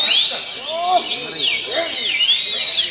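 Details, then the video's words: Oriental magpie-robin singing in full flow at a bird song contest in Indonesia: strong high whistled arcs and swooping notes repeated in quick succession, with softer lower chirps underneath and faint crowd noise. "Kacer Full Ngobra"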